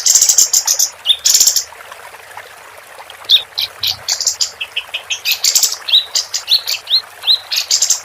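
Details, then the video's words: Female capped white-eye, actively singing on a tutor recording for competition birds: opening buzzy, high rattles, a short pause, then fast, repeated sharp chirps and rising whistled notes. "Kapas Tembak Betina Gacor"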